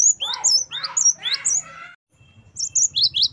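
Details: Great tit (gelatik batu) used as training material for captive birds: three harsh, raspy churring notes blend with thin, very high whistled notes, then a pause and a fresh burst of sharp high chirps over faint low background rumble.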